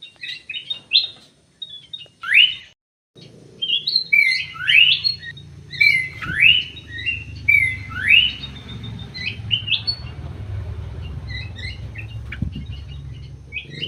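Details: Emprit sawah munia calling with sharp upswept chirps in loose series, a brief pause near three seconds, then steady low rumbling background noise beneath the repeated tweets.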